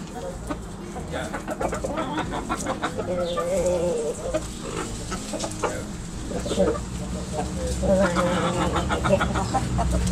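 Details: Roosters and hens in a backyard, pecking and scratching; soft, rapid clucking and murmuring calls from several birds, irregular and overlapping, with a constant low rumble behind.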